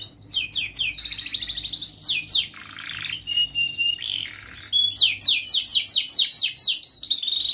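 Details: Young canary song for teaching young canaries: falling whistled notes, a buzzy rattling phrase and steady whistles, then a rapid run of downward sweeps about three per second.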